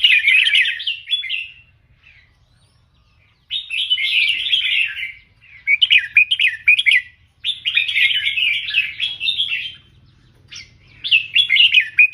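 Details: Red-whiskered bulbul kept as a tutor bird for teaching song, singing in the professional 'double 3' style: four bursts of rich, warbling whistled phrases, each one to two seconds long, separated by brief pauses. A faint low hum is in the background.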